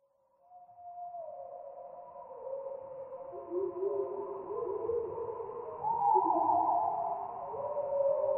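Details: Garden warbler song recorded 28 May 2023, slowed far down, so the rapid warble becomes a deep, drawn-out stream of gliding, rising and falling tones; no other sounds stand out.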